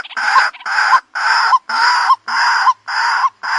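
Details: Strong, regular harsh kru-ak style croaks of a white-breasted waterhen lure, roughly every half second, each ending in a rising squeak.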